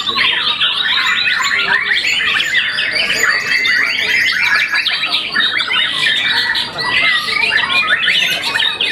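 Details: White-rumped shama, a young bird past its first moult that won a contest, pouring out busy overlapping song of rattling trills, sharp whistles and squeaky notes, steady and unbroken, briefly softer near the seventh second.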